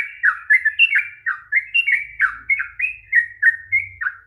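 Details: Long rapid 'ropel panjang' song of a sooty-headed bulbul, used to coax a quiet bird to sing: quick chattering whistled notes, slurred downward and upward, roughly three to four per second, over a faint low hum.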